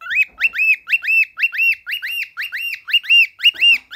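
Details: A male cockatiel, confused by his own reflection, dances and sings a rapid run of bright, rising-and-falling whistled notes, about two per second.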